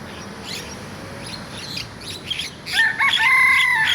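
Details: A rooster gives a loud, harmonic crow that holds a steady tone and runs on to the end. Quick, high chirps from small birds come before it.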